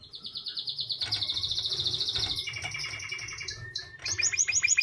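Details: White canary singing: a varied run of high chirps and fast trilled phrases, including a long buzzy trill and rapid repeated notes near the end, with faint low background hum.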